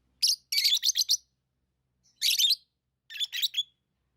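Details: Tame lovebirds give rapid strings of shrill, rasping chirps, one long burst followed by two shorter ones after brief silences.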